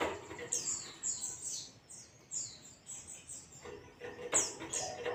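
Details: White-eye ngalas song for training caged birds: a string of thin, high whistles each falling in pitch, about two per second, then a short gap, and a louder burst with clicks at the end.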